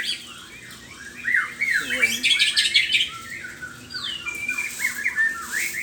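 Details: A white-rumped shama in full morning song, pouring out loud, rapid whistled and warbled phrases with swooping notes and a dense burst of bright chattering in the middle, continuing in varied sequences to the end.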